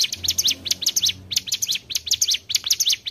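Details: Lure recording of mountain tailorbird song for bird trapping, with energetic high-pitched chirps in quick three-note groups, some notes sweeping down sharply, repeated steadily over a soft low background hum.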